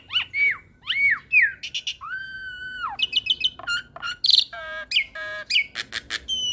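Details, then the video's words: Hybrid Asian pied starling and Nias hill myna singing varied chatter for training: arched whistles, a long flat tone, bursts of clicks, harmonic nasal notes and harsh squeaks in rapid sequence. "Masteran Jalak Suren Biar Cepat gacor Dengan Ocehan Jalak Hybrid ASSU - Jalak Suren X Jalak Nias"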